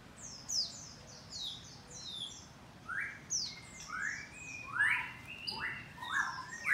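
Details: Captive white-rumped shama in a breeding aviary in the morning, Bogor, Indonesia: thin high downslurred whistles in quick series, then lower, fuller swooping whistled notes in short bursts separated by pauses.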